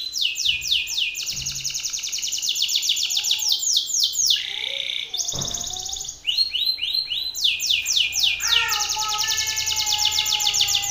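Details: An aggressive Belgian canary male sings forcefully toward another male, challenging an opponent. Long bursts of rapid descending trills alternate with sustained buzzy tones and quick chattering notes, broken by a short low thud.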